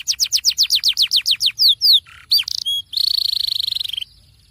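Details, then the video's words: Canary song, a lure for canaries that sing too little. It opens with about a dozen quick falling whistled strokes, adds a few odd squeaks and a low buzzy note, and ends with a long rapid trill. "30 detik ngerol Pancingan Ampuh buat kenari kurang gacor sekali tarik kenari pasti ikut bunyi"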